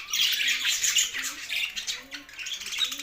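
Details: Two male budgerigars kept as pets, chirping in a steady stream of scratchy, high warbled notes and squawky chatter, fast and irregular, with faint low tones beneath.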